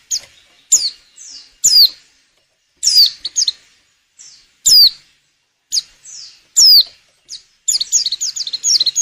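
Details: Breeding-condition female white-eye used as a lure to get males singing; sharp high downslurred whistles repeated about every second, soft trailing notes between, closing with a dense chattering run.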